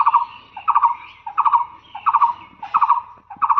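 A Blue-eared barbet repeats a low, throaty two-part trilled note about every two-thirds of a second, steady and insistent; a thin higher whistle sounds faintly behind.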